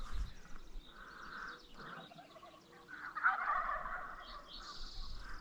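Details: Wild turkeys gobbling during a spring hunt in Nebraska on public land: rapid rattling bursts of throaty notes, one rolling gobble rising louder midway, soft outdoor background; Merriam's wild turkey.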